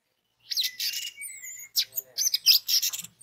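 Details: Orange-headed thrush song used as a lure to make other orange-headed thrushes sing: a quick, varied run of buzzy, noisy chirps mixed with thin high whistles and a few slurred notes, dense and rapid over three seconds, with no other clear sounds.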